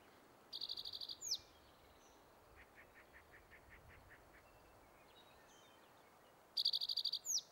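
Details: Male spotted towhee singing on territory at Metcalf Wildlife Management Area, Nebraska, on May 23, 2023: two rapid, buzzy trills about six seconds apart, each closing with a short sliding note, with faint repeated notes from another bird between them.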